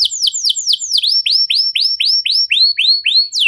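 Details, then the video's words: Canary with an ornate song style, a pet singer: a steady run of loud curved whistled notes, each sweeping down then up, repeated about four times per second with faint high overtones. "Burung Kenari Mana Saja Pasti Ikut Gacor Setelah Dengar Kenari Cengkok Mewah Ini"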